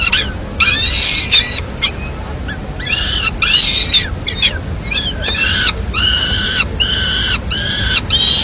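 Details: A female peregrine falcon feeds pieces of pigeon to two chicks in the nest, Madrid, May 2016. Harsh, harmonic calls come in a series of short and longer bursts. Several bursts near the end are evenly spaced, with a steady hum underneath.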